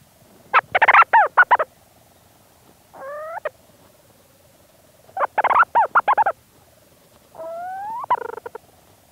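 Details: Close recording of a Leach's storm petrel inside a burrow at St Lazar: two rapid stuttering bursts of harsh notes, each followed by a drawn-out, rising, wavering tone, against a steady faint hum.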